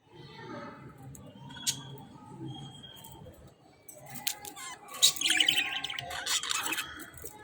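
A group of budgerigars chattering with scratchy, warbling chirps and sharp high squawks, busiest toward the end.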